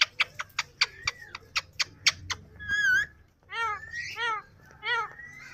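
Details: Yellow ring-necked parrot kept as a pet: a run of sharp clicking taps, then wavering, harmonic squawked notes rising and falling in three short bursts.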